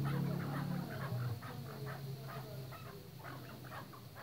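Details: Chukar partridges kept on a breeding farm give quick, rough clucks and squawks in uneven series, several birds calling together, with a constant low hum underneath.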